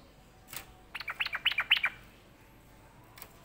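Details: Sooty-headed bulbul said to be sulking: a quick burst of about nine short, bright chattering notes packed into under a second, framed by a couple of faint clicks in otherwise quiet surroundings.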